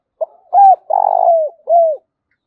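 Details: Spotted dove cooing: a short lead-in note, then a clear arched coo, a longer rough rolling coo and a final falling coo, low and mellow, in a quiet setting.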